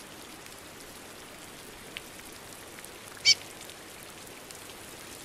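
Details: Female chestnut-bellied seed finch (curió) calling in the rain: one sharp, high chirp stands out over steady rainfall hiss.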